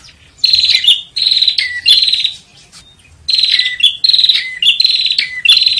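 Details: Master recording of bar-winged prinia song for tutoring contest birds: loud, shrill, buzzy phrases with dropping whistled tails, delivered in fast bursts, a silent gap of about a second, then further bursts of rapid chattering.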